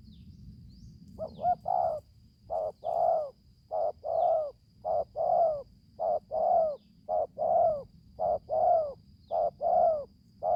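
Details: Young spotted dove, newly come into voice, on its first outing for training in the forest: a series of low hollow coos, each a short note followed by a longer falling one, repeated about once a second, with a faint steady high whine behind.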